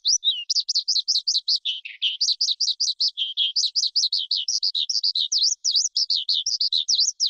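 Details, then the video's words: Rapid, rhythmic skylark song made of crisp high chirps in quick repeated runs, a brief lower buzzy dip near the middle, then sharp V-shaped notes repeated to the end, with clean silence behind. "Tiếng Chim Sơn Ca Rừng Hót Hay Nhất"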